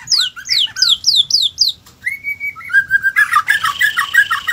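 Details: White-rumped shama singing: a rapid series of five sharp descending whistles, then a steady mid-pitched whistle, shifting into loud, dense, buzzy warbled phrases with chattering notes.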